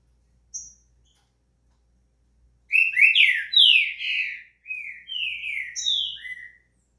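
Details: Green-winged saltator singing, used to get another bird warmed up to sing: a brief high note, a pause, then a run of loud slurred whistles, mostly falling, grouped in two bursts with short gaps, against a quiet background.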